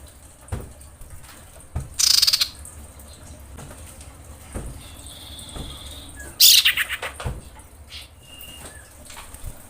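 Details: Female common iora in breeding condition calling to males: two short, harsh, buzzy pulsed bursts several seconds apart, with faint thin whistles and scattered clicks between them.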